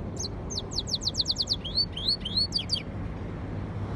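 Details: Yellow-fronted canary x canary hybrid mule singing: a fast run of steeply descending high notes repeated about seven times, then rising slurred whistles and buzzy trills, over a low steady hum.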